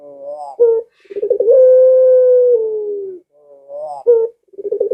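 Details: Barbary dove cooing to entice other doves at home to call: a short upslurred note with a clipped end, then a bubbling roll that settles into a long sustained mellow coo, and the pattern begins again.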